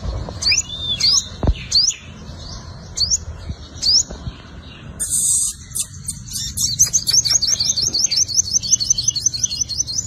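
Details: Five-coloured sunbird in fighting song, used to lure birds: spaced sharp upswept notes roughly every half second, then after a brief buzz a rapid high trill of repeated rising notes.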